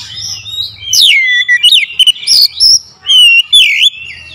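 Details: Oriental magpie-robin lure song, loud and sharp: a low hum at the start, then bright whistled notes sweeping down, upward flicks and rapid clipped bursts with short gaps.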